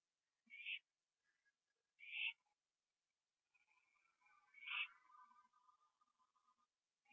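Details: Owl on a porch at night, 21 September 2011, eating a gopher, then flying up to a tree with another owl; three hoarse screeches among softer chittering and a drawn-out wavering mid-pitched sound.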